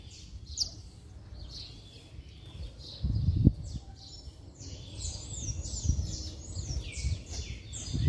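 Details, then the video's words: Saffron finch in vigorous song meant to rouse other saffron finches. Bright chips and falling slurs run almost continuously and grow busier toward the end, over steady low-pitched background noise with a few knocks. "Canário da Terra Estralando Muito - Ótimo Para Esquentar Qualquer Canário-da-terra"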